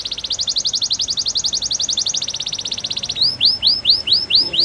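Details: Canary training song: a long fast rolling trill of even pulses, then a slower series of repeated rising-then-falling whistled sweeps, with light background hiss.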